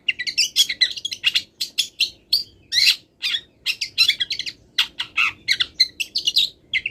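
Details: Continuous mimicry-laden song from a wild long-tailed shrike that has not finished moulting, made of quick, varied, sharp chirps and harsh notes repeated in dense succession with barely any pause.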